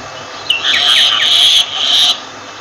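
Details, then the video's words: Myna calling with a harsh, rasping buzz held for about a second, then a shorter second burst, with a few quick descending whistled notes in between; faint low background hum. "Myna Bird sound Voice"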